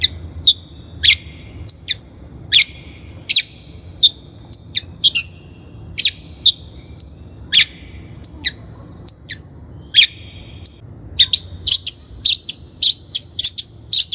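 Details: Long-tailed shrike song from a training lure: varied high, sharp notes with short whistled tails, spaced about half a second apart, building into a fast, dense twitter at the end.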